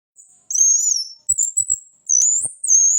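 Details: Orange-headed thrush in trotol style, a lure for training birds: long thin high whistles, some wavering and some held level, separated by short gaps, with faint low clicks beneath.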